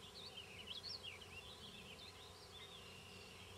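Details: At a fence-post nest of banded Black-capped Chickadees, a pair feeding nestlings near Queen's University Biological Station in spring 2006, there is a continuous run of thin, high, squeaky twittering notes wavering up and down over a faint low hum.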